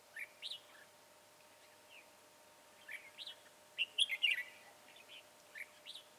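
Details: Red-whiskered bulbul, described as slender-bodied with a tall crest and dark bib, heard during trapping with a decoy bird on 22 January 2018: short bright whistled phrases, rising then falling, in bursts separated by brief pauses.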